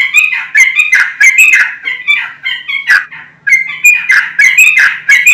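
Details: Yellow-vented bulbul singing vigorously, used as a lure to prompt untrained and flock-kept bulbuls to answer. Loud, bubbly, chattering phrases with warbled notes, repeated in quick bursts about every half second to one second.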